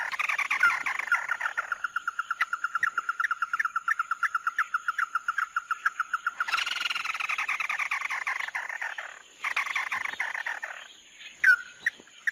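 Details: Mắt đỏ bird, lure recording: a long, rapid train of even repeated notes, then rough chattering bursts separated by short gaps, ending with a slurred whistle.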